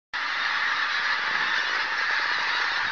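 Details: Pink-footed geese near Martin Mere, flushed by a buzzard: a dense flock clamour of overlapping nasal honks that rises abruptly from silence and carries on steadily throughout.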